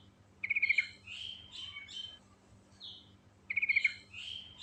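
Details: Sooty-headed bulbul, natural singing rolling full of fill phrases; a rapid series of five bright clipped notes opens each phrase, followed by warbled whistled notes, the pattern repeating after about three seconds over a faint low hum.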